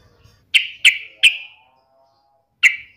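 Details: Yellow-vented bulbul (trucukan), taunting a rival in fighting mood: three sharp, loud chirps in quick succession, a pause, then one more matching chirp against a quiet background.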